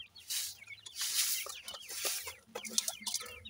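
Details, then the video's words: Grey partridge chicks of the new season under parental care: bursts of shrill, quick descending cheeps overlap in a busy chatter, rising and falling in loudness, with soft hiss between. "grey partridge birds new season chicks"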